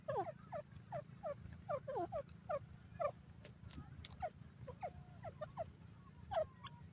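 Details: Tetar, or grey francolin, giving quick descending notes in bursts with brief pauses; a few higher thin notes and a constant low hum in the background.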